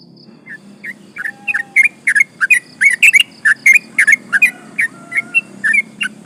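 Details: Sooty-headed bulbul singing briskly as a lure to provoke other birds: scattered whistles build into a dense run of bright, chirpy slurred notes, then thin out again, with a faint low hum behind.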